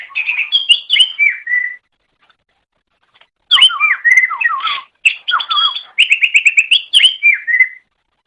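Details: Greater green leafbird tutor song for training pet birds: loud, busy phrases of whistled slurs, squeaky chatters and down-slurred notes, separated by short silent gaps, rapidly repeated elements.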